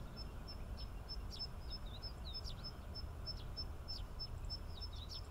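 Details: Tree sparrow, subspecies Passer montanus saturatus, at Inbanuma Lake, Chiba Prefecture, Japan: short sharp chirps scattered through the clip over a steady series of thin high pips, with a heavy low rumble of background noise.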